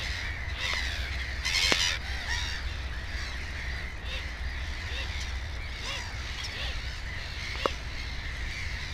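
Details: At a nest with two chicks, black-headed gulls give strident, rasping cries, a loud burst near the start, then scattered calls from many birds, over a steady low hum.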